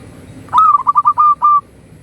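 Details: Local zebra dove singing loudly for a master recording to trigger other doves: one quick phrase of about six clipped cooing notes, short stutters ending in longer, even held tones.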